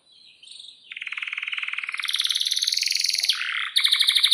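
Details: Canary in full, lively song with a long roll, used as a tutor for young birds learning to sing. Rapid buzzy trills rise from soft twitters into dense, high rattling rolls, then a bright ringing trill at the end.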